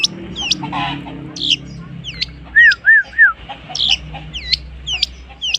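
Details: Long-tailed shrike copying other birds: sharp hooked whistles and scratchy notes, with three lower, arched, mellow whistles in the middle, over a low steady hum.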